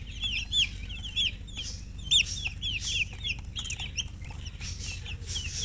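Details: Colour chickens chirping: many overlapping short high peeps, some bending down in pitch, several callers at once with a few louder notes standing out, over a steady low hum.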